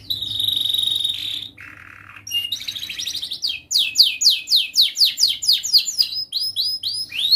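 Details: Tutor song from a young canary for training young canaries: a held high whistle, a lower buzzy tone, then a rapid run of sweeping chirps that settles into rhythmic rising trill notes.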